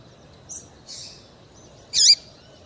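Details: Female double-collared seedeater call, used by breeders to excite and fire up males for tournaments: two soft faint high notes, then one louder sharp high call with a down-and-up sweep near the end, over a quiet background.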